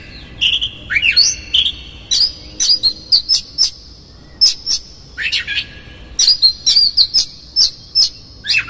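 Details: Oriental magpie-robin song played as a provoking lure, mixing clear high whistles, upslurred notes and sharp clicks in quick, uneven series, with short pauses between phrases.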